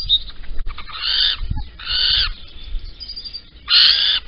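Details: Little owl at Holten on 16 April 2020 at 05:59, dawn, the male arriving with a caterpillar while the female is away; three harsh, hissing, broadband bursts of about half a second each, spaced irregularly, with faint low rumble between.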